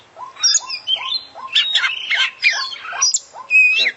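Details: Oriental magpie-robin, an international champion, in full song packed with isian. Lively mixed phrases of whistles, buzzy chatter and clear tones run over a steady series of lower soft notes.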